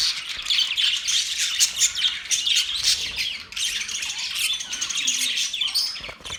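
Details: Australian parrots recorded on October 10, 2023 in a dense, continuous wall of high, scratchy chatter and squawks, with almost no pauses.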